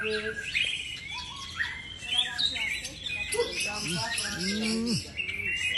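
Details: A competition white-rumped shama (Copsychus malabaricus) singing a rich, fast run of varied high, shifting whistles and trills, with lower, drawn-out rising and falling tones mixed in.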